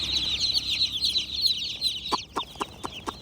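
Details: Young chicks peep in a busy high chorus of short falling chirps. Toward the end, five sharp tapping knocks sound about every quarter second.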